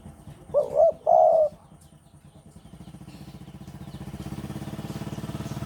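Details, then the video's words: Spotted dove from Java in strong breeding mood, singing often: a single low, hollow two-part coo phrase, a short wavering note then a longer steady one, followed by a rising low engine-like rumble. "Derkuku Jawa Gacor Birahi Keras"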